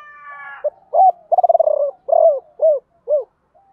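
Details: Spotted dove kept as a decoy, calling to attract wild birds in the 'gọi ba hậu' style. Brief mellow coos, a fast purring trill, then three separate falling notes, with a faint crowing tail at the start.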